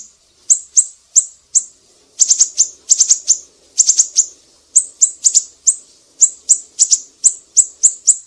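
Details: A lively siri-siri sings for a songbird training recording. Sharp, very high chirps come singly, then in quick clusters of three or four, then in an even string toward the end, with a faint low background hum.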